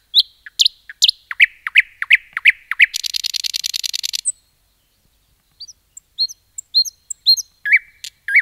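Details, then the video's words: Common nightingale singing in forest: a string of loud swooping notes about three per second, a long buzzy rattle lasting over a second, silence, then quiet high chirps and whistled phrases. "Nightingale song"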